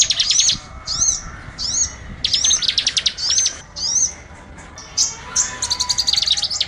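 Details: Bird lure call used to attract small birds: high, rapid chirps and arched whistled notes repeated in quick bursts, with trilled runs near the end.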